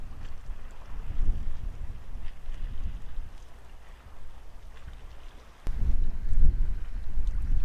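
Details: Rumbling wind and water noise with a sudden louder gust near the end, no animal calls.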